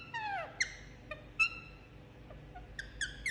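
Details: Pet Indian ringneck parakeet having its head massaged, producing a descending whistled note, several isolated short chirps, and a closing cluster of squeaky notes; soft background hum.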